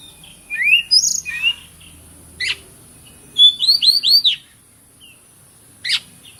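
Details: White-rumped shama kept in a cage, used to prompt other birds to sing: whistled slurred notes, a quick run of four or five rising-falling chirps, and two harsh isolated rasps, with a high hum throughout.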